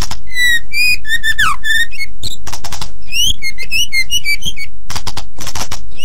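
A white-rumped shama pours out rich, varied whistles, quick rising and falling phrases mixed with harsh chattering bursts, delivered in a rapid, continuous stream.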